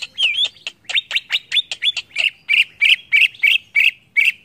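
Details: Song of a greater green leafbird, played to provoke other birds; fast chattering phrase of bright chirps and short whistles, settling into evenly spaced squeaky notes about four per second.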